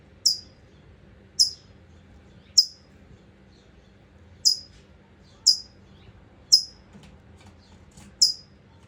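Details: Mother California Towhee chirping worriedly near her nest holding two newly hatched chicks, California, 14 June 2025, recorded on an iPhone. Seven piercing, very high, sharp chips come at irregular intervals of about one second, over quiet background.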